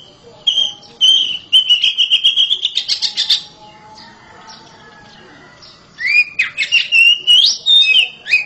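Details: Loudly singing oriental magpie-robin kept as a house bird: repeated whistles leading into a pulsing scratchy run, a pause, then an energetic sequence of varied rising and falling whistled notes.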